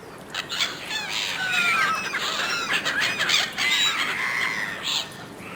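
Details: Seagulls competing fiercely for food offered by a person, giving harsh squealing calls with stacked harmonics that overlap in a dense, irregular chorus of about three calls per second.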